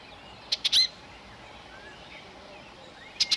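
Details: Common redstart near its nest in May–June 2018, singing to hold territory while feeding nestlings insects: two bursts of three loud, high, abrupt notes at the start and end, with quiet sliding notes between.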